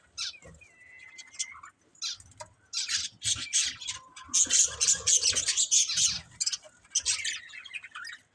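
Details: Budgerigars chattering, starting with a thin whistled note, then strings of scratchy, squawky chirps growing louder and denser before tapering off.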